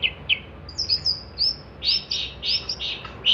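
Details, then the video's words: Singing long-tailed shrike, a recording for tutoring songbirds: sharp chips, a thin drawn-out whistle, then loud harsh bursts at short intervals. "kicauan cendet gacor"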